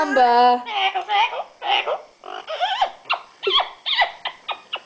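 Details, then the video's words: Pet female yellow-naped amazon parrot in a cage, a family bird that talks, sings and blows kisses, giving a run of speech-like syllables, harmonic and warbling, rising and falling in quick succession, then short clipped notes toward the end. "My Talking Parrot"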